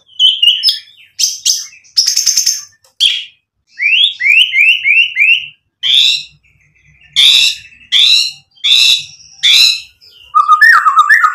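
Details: A white-rumped shama sings to provoke other shamas into song: short loud phrases separated by pauses, including a series of four rising whistles and repeated harsh buzzy bursts.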